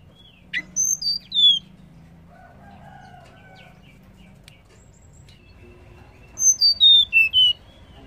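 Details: Female banded pitta call to trigger male calls: a burst of three to four descending high whistles, a quiet gap with faint chirps, then a longer series of five stepping downward.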